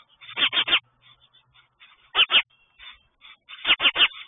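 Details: Nesting mother sparrow turns territorial and aggressive toward another sparrow close to her chicks; rasping chirps delivered in tight triplets and pairs, separated by brief pauses and faint, scratchy notes.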